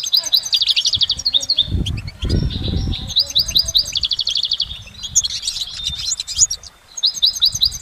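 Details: High, fast twittering of a goldfinch in nature, built from bursts of quick repeated notes and short trills, sometimes rising to sharp chirps, with low background rumble.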